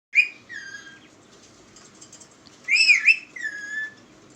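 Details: Pet parrot that talks, said to say "Miya mitho": a sharp harmonic note falls into a level whistle, then after a quiet pause comes a loud warbling two-part utterance ending in a falling whistled tail.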